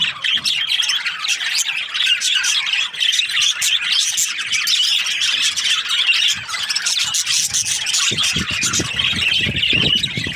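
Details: Dense chatter from budgerigar breeding pairs, fast squeaky chirps and grating warbles over ten seconds, with some low rustling or tapping sounds toward the end.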